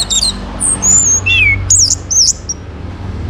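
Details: Orange-headed thrush song, used to prompt other birds to sing: very high, thin, twisting whistles and quick slurred notes strung closely together, over a low background drone.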